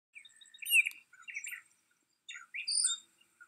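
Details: Baltimore oriole at Riverwood giving two bursts of quick, slurred whistles and chattery notes, split by a brief pause, with thin, high chips mixed in.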